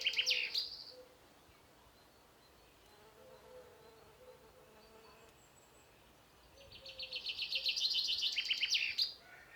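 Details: Common chaffinch singing from a treetop in spring to mark territory and attract a female: a high song ends the opening second, then after a quiet gap a second song speeds into a descending rattling roll and stops abruptly with a flourish.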